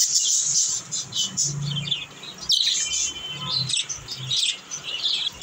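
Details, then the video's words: Pet baby budgerigars in a happy mood, twittering busily: bright, buzzy chirps and short whistled notes tumble over one another, with soft lower murmurs and rustling underneath. "Happy budgie sound"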